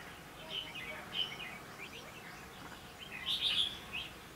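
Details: Wild red-whiskered bulbuls fighting with a caged decoy bird while being trapped late in the season in Lương Sơn, Hòa Bình, Vietnam: a few brief sharp whistled chirps, then a louder warbled burst near the end.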